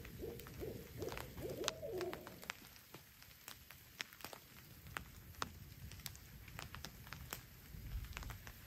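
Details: While camping in the rain on a hilltop next to a lake, a bird presumed to be an owl gives a few low, hollow hoots in the first two seconds, over steady rain and sharp drips and taps.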